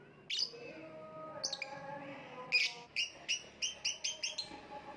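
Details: Lovebird producing a scattered chirp or two, then a fast, fairly even series of about eight shrill, squeaky notes roughly every third of a second, over a soft low droning background.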